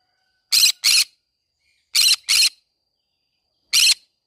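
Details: Green-cheeked conure singing in the middle of a flower garden: five harsh, raspy, broadband squawks, given as two quick pairs and then a single call, with near-silence between them.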